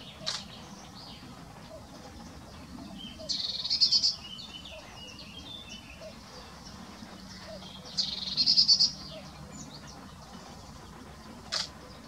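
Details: Great crested grebe (Podiceps cristatus) at Ammersee giving two high, rapid chattering trills about five seconds apart, over a low background rumble with a couple of sharp clicks.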